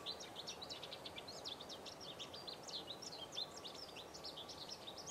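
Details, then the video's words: Purple Finch singing on an early spring walk in March 2010: a fast, continuous warble of bright, tumbling notes, steady throughout with soft outdoor background noise. "a singing Purple Finch"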